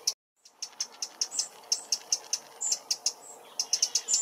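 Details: Alarm call of a Eurasian wren in a London park, warning of a possible nest predator such as magpies or crows: a brief break, then hard, high teck notes repeated rapidly and evenly, some louder than others.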